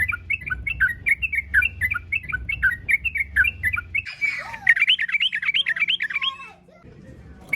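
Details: Lively yellow-vented bulbul song meant to draw other bulbuls into singing: a steady stream of quick bubbling notes, then a denser, jumbled warbling phrase with descending slurs before fading to low background hum.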